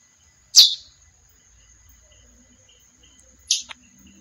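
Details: Female chestnut-bellied seed finch giving two short, sharp, downward chip notes about three seconds apart, over a steady thin high whine.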